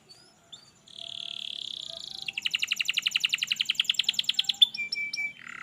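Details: Canary song for coaxing a lazy canary into song: a long buzzy whirr, a fast rattling trill, then short chips and a low buzzy phrase.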